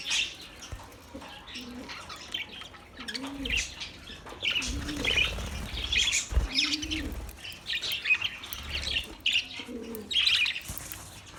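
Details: Australian parrots chirping: many short, high, bright chirps and squeaks scattered throughout, overlapping from several birds, with soft low cooing phrases repeating underneath every couple of seconds.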